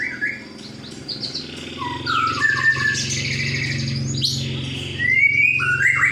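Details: Song of an old Oriental magpie-robin: rapid, varied whistled notes and rising slurs, some buzzy high trills, with a continuous loud low hum underneath throughout.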